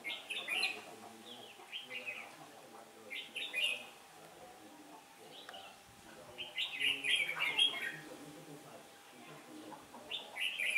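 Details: Red-whiskered bulbul used as a trapping decoy on a day when the wind turns, 15 October 2017: short bright warbled phrases in bursts roughly every three seconds, the longest a rich tumbling run, over a faint steady hum.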